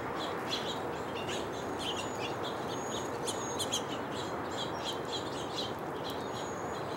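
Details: House finch giving short bright chirps in quick irregular bursts, with a few thin high whistles, all over a loud steady rushing background noise.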